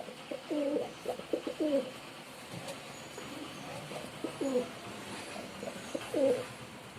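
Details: Male pigeon performing, giving low throaty coos that swell and fall, in short bursts of several notes repeated about every two seconds, with quiet background hiss.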